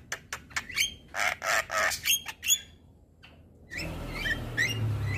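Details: Male Javan myna heard as a provoking master song, a fast run of loud harsh chattering bursts and short whistles, a brief pause, then softer whistled notes over rising background noise.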